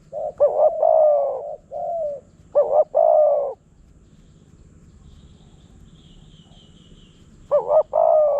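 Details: Wild spotted dove in Phrae, Thailand, answering a decoy: two quick phrases of a stuttering double note followed by a long throaty coo, a pause with faint distant chirping, then the phrase starts again.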